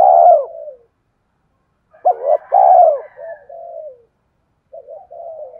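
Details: Spotted dove giving the urging 'cu gáy thúc' coo, used to stir a decoy bird into cooing: low mellow coo phrases with hooked notes and a drawn-out coo, separated by silent pauses, with soft trailing murmurs.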